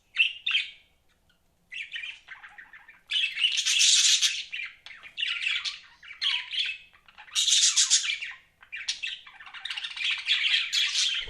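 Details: Chirping from pet budgerigars in loud, scratchy bursts of warbled chatter a second or two long, separated by short silences, with occasional clicks and brief whistled notes.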